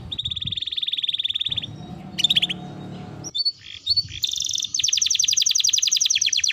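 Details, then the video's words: Canary song made as a training recording for birds: a fast even trill of high notes, a pause with low hum, a few sharp chirps, then another very rapid rolling trill of bright repeated notes. "burung kenari masteran gacor"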